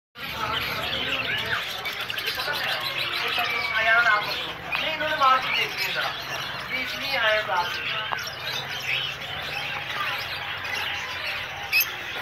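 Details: Zebra finch pairs chatter with a steady stream of short, nasal, toy-trumpet beeps and chirps.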